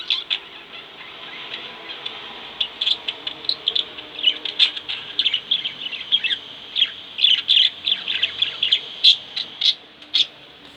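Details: Two pet budgerigars chirp and chatter continuously, a busy overlapping stream of high, scratchy warbles and sharp tweets.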